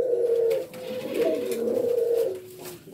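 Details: Male F1 Island Collared Dove × Ringneck Dove hybrid (male Island Collared, female Ringneck) giving courting/excitement sounds: a low, hoarse, rolling coo held about two seconds, then another after a brief pause, in a small indoor room.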